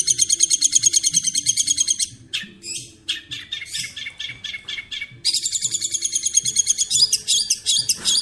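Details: Long-tailed shrike masteran song alternating a very high, fast buzzy trill with a middle stretch of harsh, varied chattering notes, then the high trill returns.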